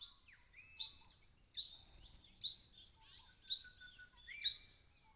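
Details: Wild brown treecreeper at a regional Victoria pond in Australia, filmed by camera trap while coming to drink and bathe; piercing high notes repeat roughly once a second, mixed with lower sliding whistles from another bird.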